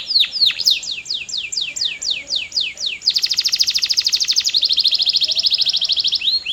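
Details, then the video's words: Canary in full song: a series of about a dozen descending whistled sweeps followed by a long, very fast, even trill of high pulses. "CANARY GOES CRAZY! 🔥 Powerful Singing Sound That Works"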